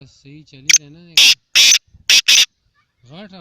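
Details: In winter in Pakistan, a black francolin gives four loud, harsh rasping notes in a quick uneven phrase, with a man's low voice before and after.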